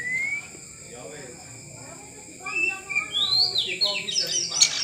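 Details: Oriental magpie-robin, a kept bird being trained to become tame. A whistled note opens, then a burst of rapid chirps and varied high sweeping notes fills the last two seconds, with people talking nearby.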